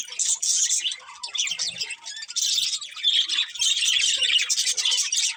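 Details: Budgie family chirping: lively overlapping twitters and warbles, dipping quieter near the second second, then rising again into dense chatter.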